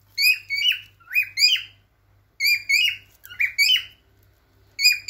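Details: Male cockatiel singing to attract and stimulate females for mating: clear, loud whistled phrases of rising and sliding notes with rich overtones, given in bursts of two to four notes separated by short pauses, over a faint low hum.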